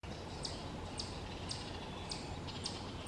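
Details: A baby Hairy Woodpecker in a tree cavity, fed by an adult male and female, gives short, sharp, high notes about twice a second over a steady low rumble; recorded far away, 28 May 2023, West Hickory, Forest County, Pennsylvania.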